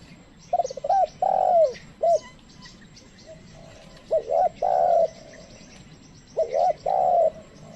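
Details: A decoy spotted dove coos to lure wild birds, which keep their distance. Three low phrases, each a looping short note and a long falling coo, come at even intervals over continuous high chirping from smaller birds.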